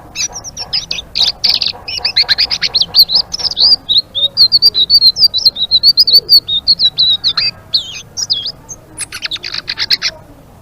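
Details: Blue-winged leafbird, called selendang biru, in full energetic song described as gacor ngeriwik: a fast chattering stream of high whistled notes, slurred chirps and harsh buzzy bursts, rapid and irregular throughout with a short pause near the end.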